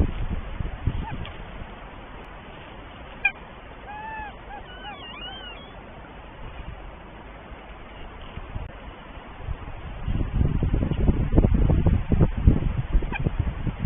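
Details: Pair of northern goshawks at the nest in Tartu, Estonia, the male expecting the first egg; a quick cluster of soft, curving, whistled and wavering notes in the middle, followed by loud rumbling wind or handling noise.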